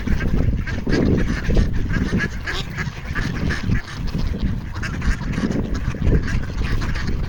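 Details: A crowd of ducks on a frozen pond, likely in Toronto, quack and honk over one another in a dense, continuous chatter of low nasal calls, with no pause, wanting food.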